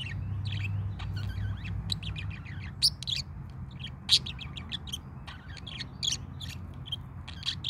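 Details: Morning song from a parakeet: busy, uneven chatter of sharp chirps, clicks and brief whistled notes, with a few louder squeaks, running through the whole stretch with a faint low hum beneath.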